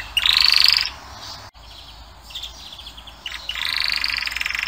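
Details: Male canary song in short bursts: a bright rising trill, a quieter patchy stretch with faint notes, then a loud sustained rattling trill at the end.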